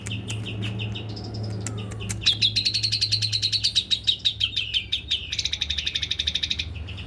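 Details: Male white-rumped shama delivering fast, dense pentet-style song: a few whistled notes, then a long rapid rattling run of high notes that grows louder and denser toward the end.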